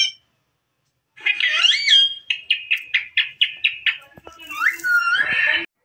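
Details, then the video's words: Indian Ringneck parrot, a pet dancing and chattering, gives a warbled wavering phrase, then about seven quick, evenly spaced clipped syllables, ending in a swooping, rising-and-falling burst of chatter. "Indian Ringneck parrot bird danceing and talking"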